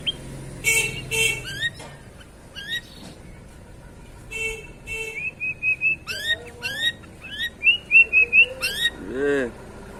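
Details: White-rumped shama song: loud, varied whistled phrases mixing rising sweeps, short repeated notes and fast trills, with a few harsh broadband bursts early on and a descending run of chirps near the end.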